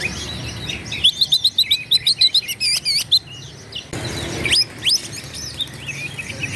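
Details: Oriental magpie-robin, a lively singer whose song is meant to goad rivals into angry fighting. Loud separate chirps and bent whistles come in quick bursts, with a brief quiet gap before more sharp rising notes.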